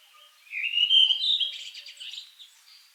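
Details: Redwing singing one whistled, slightly rising note that runs into a jumble of high, scratchy twittering, in quiet surroundings.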